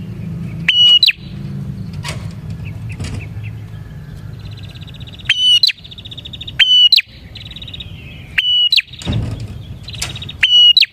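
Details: Loud bar-winged prinia song of the kind used to lure prinias. Six abrupt phrases, each a clicking onset, a held high whistle and a twittering end, with fainter buzzy trills between them.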